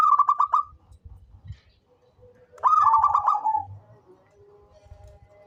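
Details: Local zebra dove, an eager singer used to lure others: a short pulsed coo series, a pause with soft thuds, then a longer rippling burst that slides into a drawn lower note.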